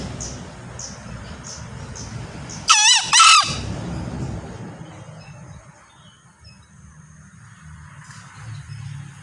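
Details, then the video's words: Male green junglefowl giving a single hoarse, two-part crow: two short rasping bursts with wavering harmonics, close together mid-clip, over a low background rumble and faint high chirps from small birds. "Suara Ayam Hutan Hijau(Jantan)"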